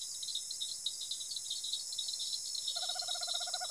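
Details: Tropical screech owl (Megascops choliba) in rural Araçatuba, São Paulo, Brazil, gives a low, rapid purring trill in the final second, set against a steady high shrill of insects.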